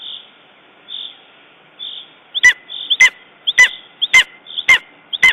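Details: Lesser spotted eagle at its nest in Estonia on 14 June 2011, after a raven attack: sharp, harsh yelping notes with a clipped, clicking edge, about two per second in the second half, following softer faint tones.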